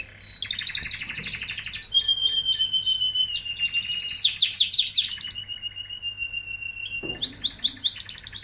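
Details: Canary song in a continuous stream: buzzy rolled trills, long flat whistled tones and bursts of fast, sharp, high rattles, with hardly a pause.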